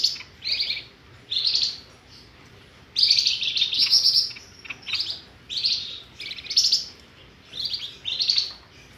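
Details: Flamboyan bird lure call for trapping: short high chirpy phrases repeated in bursts, each a quick cluster of sharp squeaky notes separated by brief pauses.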